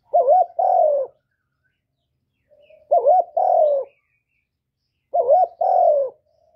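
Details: Spotted dove cooing to stimulate newly kept birds: a low two-part phrase, a quick wavering hoot followed by a longer falling coo, given three times about every two and a half seconds.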